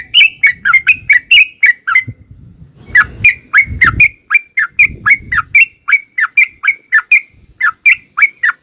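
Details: Yellow-vented bulbul, long song played to draw birds into answering: an almost unbroken stream of lively chirped notes, several per second, each bending downward, with soft low background noise in places.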